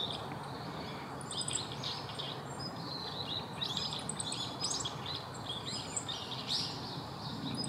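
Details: Siberian rubythroat male with red chin delivering a rapid, jumbled song of high chirps, trills and scratchy notes in repeated clusters, set against constant low environmental rumble.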